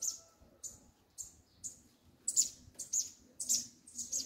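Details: A double-collared seedeater sings a song pattern called "do grego": high, sharp buzzy notes repeated roughly every half second, growing louder and harsher toward the end.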